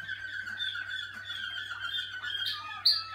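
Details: Caged Malinois Waterslager canary in early song-cabinet practice. Steady rolling song with sustained tonal lines ends with a sharp bright note, over a low background hum.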